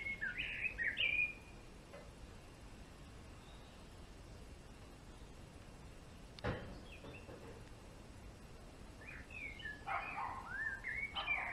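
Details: Male European greenfinch gives a loud twittering burst at the start, then a long quiet gap broken by a single sharp knock, and a second run of wheezy, chirping notes near the end.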